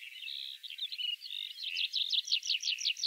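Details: Tree Pipit singing in Central Russia: a high, thin twittering trill gives way to a run of sharp, repeated downslurred notes, delivered rapidly at roughly three per second and growing louder toward the end.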